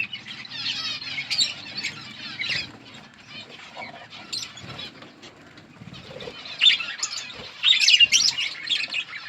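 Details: Budgerigars in a colony chirp and chatter in dense bursts of bright, warbling notes, with sharp wingbeat flutters and rustles breaking through between calls.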